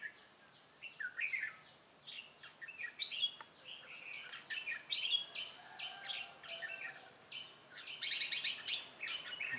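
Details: Red-whiskered bulbul of the 'Ché cười' type used as a lure bird in trapping, 25 June 2018: busy run of chirpy, liquid warbled notes with a sharper high burst near the end.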